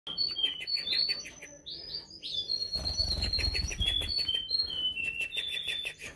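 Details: A canary in Bukhara sings a fast, high run of bright whistled notes and chirpy trills without pause, with a brief low flutter partway through.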